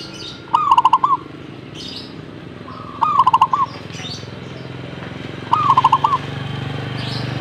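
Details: Zebra dove answering in song: three rolling, pulsed coo phrases repeated about every two and a half seconds, with faint high chirps from other birds between them and steady low background rumble.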